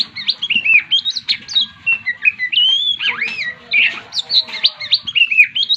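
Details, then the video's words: Oriental magpie-robin, a stressed bird, singing continuously in a rich medley of clear whistles, with rising and falling slurs, upswept notes and short chattering bits. A faint low rumble runs underneath. "Terapi menaikan kacer stres agar cepat bunyi kembali"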